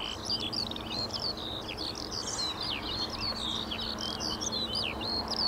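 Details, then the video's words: Cheerful Eurasian skylark song: fast, unbroken warbling of high chirps and short rising and falling whistles, some notes repeated in quick runs, while a faint hum of human traffic runs underneath. "THE CHEERFUL SKYLARKS"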